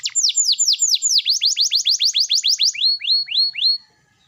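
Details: Canary singing to draw replies from quiet canaries, with a quick run of strong descending whistled notes followed by four slower, lower sweeping notes before stopping.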